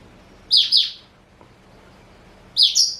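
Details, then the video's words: Pet male black-throated canary, four years old, Somerini x Botswana cross, gives a paired high chirp, falls silent for about two seconds, then repeats a similar double note. "Kicau Merdu BLACKTRHOAT SOMBOS Somerini x Bostwana Usia 4 Tahun"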